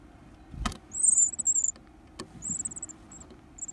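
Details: Varied tit chicks, fed and gobbling food eagerly, give thin, very high hissing begging bursts, two longer runs and brief trailing notes, between sharp knocks and rustles.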